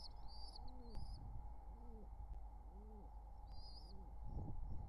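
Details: Courtship of a wild pigeon pair near their nestlings, summer 2023: four soft, arched coos about a second apart, with thin high chirps at the start and middle, then rustling over a persistent hum.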